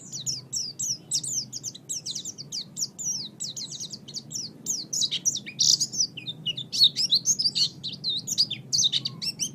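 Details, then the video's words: Oriental white-eye chattering song used as a tutor recording for training songbirds: a dense, rapid stream of high, thin chirps and twittering slurred notes, nearly continuous with brief louder bursts. "Ocehan Burung Pleci"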